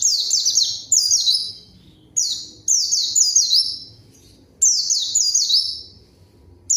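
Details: High, energetic white-eye song used to lure a rival and get silent birds singing: clusters of quick falling chirps in phrases of about a second, alternating with brief pauses.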